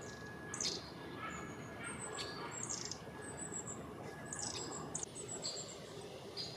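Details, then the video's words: Near the Albert Memorial, a Great Spotted Woodpecker, probably a very vocal female, gives sharp, abrupt 'kik' notes an irregular second or two apart, under thin high tseeping from young Long-tailed Tits in the trees. "The bird you can hear in the background is a Great Spotted Woodpecker"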